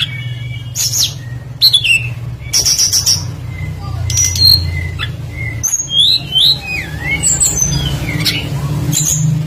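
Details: A prolific tledekan flycatcher sings a varied lure song for drawing other birds into song: sharp high notes, scratchy bursts, short whistles and wavering slurred phrases over a persistent low hum.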